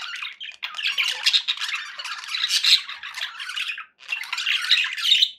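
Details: Cheerful budgie chatter indoors: an unbroken run of grating, high warbled squawks with bright chirps mixed in, one short silence before a final burst.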